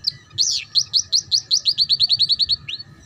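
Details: Young-canary tutor song in the ngeriwik style. A rising swoop opens a fast, regular string of sharp high chirps that quicken toward the end, finishing with one lower slurred note.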